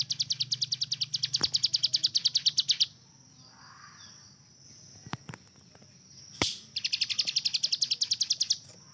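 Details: Captive hill prinia used as a tutor bird, giving a machine-gun-like 'tembakan' burst: fast, high, evenly ticking notes that stop for several seconds, with a few sharp clicks, before the rapid series resumes.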